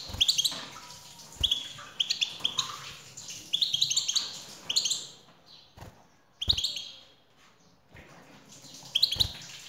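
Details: Male European goldfinch singing in response to a female: lively bursts of high, liquid twittering and buzzy trills, pausing briefly before resuming, with sharp tapping sounds between phrases.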